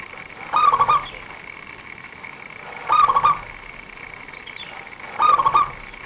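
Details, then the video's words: Zebra dove of local stock, valued by trappers as a lure for its quick, close-packed song. Three brief rolling coo phrases come about two seconds apart, with a constant thin whine behind them. "perkutut lokal gacor buat pancingan para pemikat burung"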